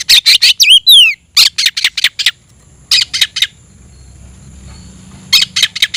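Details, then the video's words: Caged oriental magpie-robin singing aggressively with spread tail to call out a rival: rasping bursts and a sweeping whistle, then a pause of near silence before harsh notes return. "kicau burung KACER‼️gacor buka ekor dongkrak emosi panggil lawan tarung"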